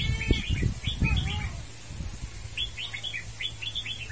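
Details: Red-whiskered bulbul singing short, quick phrases of bright chirping notes, repeated several times, with low rumbling noise and muffled sounds in the first second and a half.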